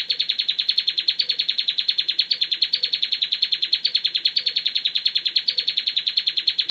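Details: Bar-winged prinia singing ngebren-style song: a continuous, unbroken series of harsh, buzzy, high-pitched notes delivered at about seven per second, with no pauses.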